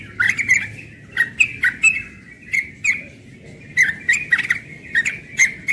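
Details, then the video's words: Morning ropel singing from a young yellow-vented bulbul, rapid clusters of liquid chirps and short whistled slurs repeated about every half second in quick runs, over a quiet background hum. "Trucukan muda ropel pagi"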